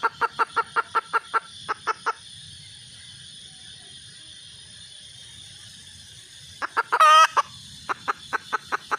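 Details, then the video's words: Wild red junglefowl hen calling: short, evenly spaced harmonic clucks in quick trains of about five per second, a pause, then a brief harsh burst and more rapid clucks, over a steady high hiss. "suab poj qaib tsauj zoo heev"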